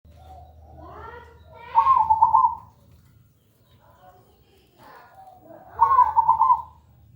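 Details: ['Zebra dove song used to coax a caged bird into singing: two loud, rapidly trilled cooing phrases about four seconds apart, each near one second long, with fainter chirping calls before them.']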